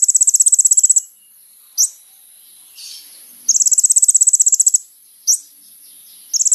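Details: Sunbird singing energetically as a lure for other sunbirds: long, very high, rapid buzzy trills lasting about a second, each followed by a single sharp note, repeated across the recording.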